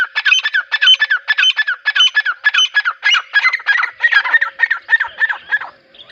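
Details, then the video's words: A grey (dakhni) francolin repeats a loud, harsh, ringing phrase about twice a second, the notes crowding together and growing rougher toward the end. No other sounds stand out. "Teetar ki awaz | teetar awaaz |dakhni teetar ki boli"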